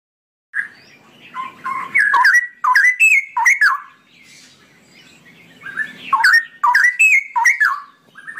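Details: Straw-headed bulbul (cucak rowo) singing its long ropelan song: loud, rich, gurgling whistled phrases that swoop up and down in two bursts separated by a quiet pause of about three seconds.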